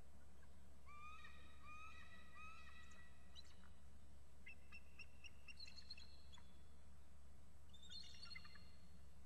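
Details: Two adult eagles calling excitedly at their nest before flying to a nearby tree, a young eagle perched close by: series of thin, high piping whistles in quick stepped runs, sometimes overlapping, over a steady low hum.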